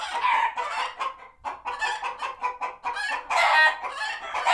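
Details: Sanctuary chickens in an alarmed barnyard frenzy after a hawk was spotted; steady stream of loud harsh clucks and cackles from several birds, peaking in a drawn-out squawk late on.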